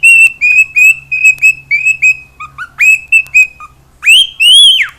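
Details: Singing household cockatiel gives a quick series of short, even whistled notes at a steady pitch, then finishes with two louder, rising whistles that swoop back down.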